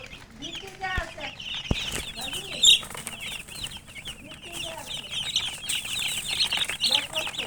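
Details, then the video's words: Young chickens peeping as a group, with bright, high chirps filling the whole stretch, a few sharp knocks and clicks, and a steady low hum underneath. "Murgi chicks Chirping sounds"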